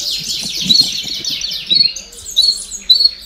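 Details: Baderna song of a domestic canary, meant to push young birds to sing sooner: dense buzzy high trills running continuously, punctuated by short sharp whistled accents roughly every half second, faint low murmurs underneath.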